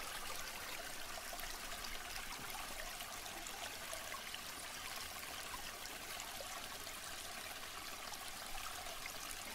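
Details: Steady rushing and trickling of flowing water, like a stream, fills the whole recording with even broadband noise and no animal calls.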